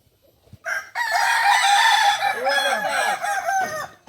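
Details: Ornamental Kukuak Balenggek rooster native to Solok, West Sumatra, at a practice meet; a sustained harmonic crow opens steadily, then breaks into several bouncing, arched notes before a final drawn-out tone and silence.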